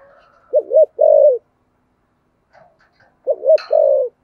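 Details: Cooing spotted dove in the "thổ sấm" voice style, "thúc gù" delivery: a low phrase of two short bouncing notes and one sustained coo, then the same phrase again after a quiet gap of about two seconds.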